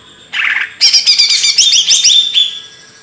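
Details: Kicau burung materi, a bird singing a fast tumbling series of high twittering notes, about four per second, after a short buzzy opening note.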